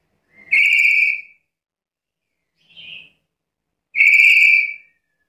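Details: Black-capped lory, actively calling, gives two long, bright, level whistles about three seconds apart, with a short soft note between them.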